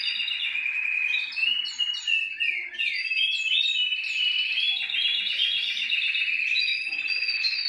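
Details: Domestic canary in full song, played to stimulate canaries to sing: rapid trilled phrases shifting between tours, interspersed with clipped whistled notes and upward slides, several birds overlapping in a dense chorus.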